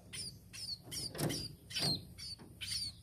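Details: Tame sparrow giving short high chirps, some with downward-slurred notes, in a loose series of about six calls over three seconds, with faint low background rumble.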